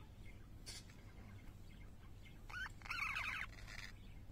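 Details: Pet parakeets singing: a brief burst of warbled, chattering notes with rising squeaky whistles in the middle of the clip, over steady low background hum.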